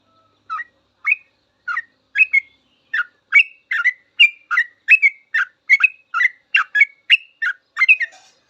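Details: Yellow-vented bulbul singing full 'ropel' for teaching cage birds: notes start spaced and quicken into a brisk string of bubbly chirps with rising whistled ends.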